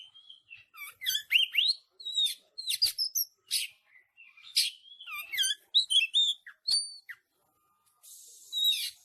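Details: Caged-bird training song of the Oriental magpie-robin in dense 'tembakan rapat' style: rapid chattering notes mixed with sliding whistles, short phrases in quick sequence, ending with a hissing noise.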